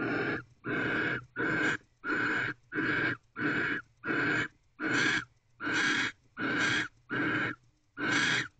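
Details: Barn owl guarding the door of a nest box, 3:02 am, 31 December 2023. It gives a long run of eleven harsh, rasping hiss-screeches, each under half a second, in a steady rhythm of about eighty a minute.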